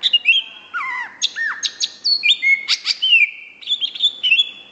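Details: Cucak hijau, the greater green leafbird, in continuous gacor song: rapid chattering notes, downward-curving whistles and buzzy trills mixed in a dense, varied stream.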